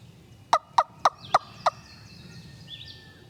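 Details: Gobbler answering a hunter's call from the far side of a creek in Tennessee woods on timbered ridges; five quick, loud rattling notes over about a second, then quiet woodland with faint distant bird calls.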